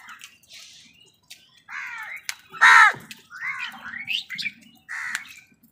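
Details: Crows scuffling with other wild birds over food: a run of rough, nasal caws of mixed loudness, one strong central caw among several shorter hoarse calls, with light clicks and scraping between.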